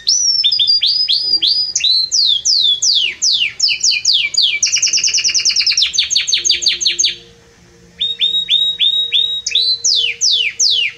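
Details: Belgian canary delivering a loud, warm song: rapid whistled sweeps and a dense rolled trill, a short silence near the middle, then rising and falling sweeps resume.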